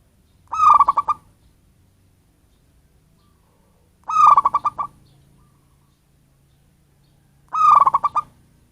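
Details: Local natural-habitat zebra dove calling to lure other birds: three evenly spaced phrases about three and a half seconds apart, each a fast rolling series of mellow coos over a faint low hum.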